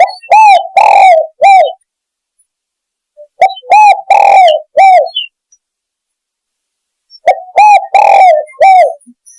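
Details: Spotted dove lure call used by hunters to draw birds in: clear mellow coos in phrases of four to five notes, each phrase separated by about two seconds of silence, the middle notes longer and fuller.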